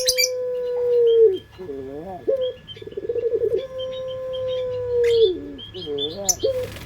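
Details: Collared dove of the puter pelung kind singing as a lure: long level coos that fall at the end, separated by wavering, bending notes and a rapid pulsed passage, over a low hum and scattered chirps.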